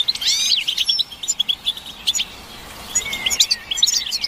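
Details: European goldfinches twittering together, a group stimulation recording meant to rouse silent males into song; bright liquid chirps and rising slurred whistles come in bursts, with a quieter gap near the middle before the twittering resumes.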